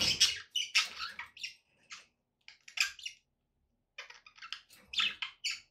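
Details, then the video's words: Pet budgerigars giving a rapid, irregular run of sharp chirps and scratchy squawks, some high and whistled, in clusters with a quiet pause near the middle. "budgie sounds for pet parakeets to make tham happy"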